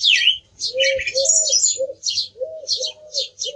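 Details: Song thrush song of rich, loud phrases, some swooping and some trilled, over steady low hooting notes from another bird in the background.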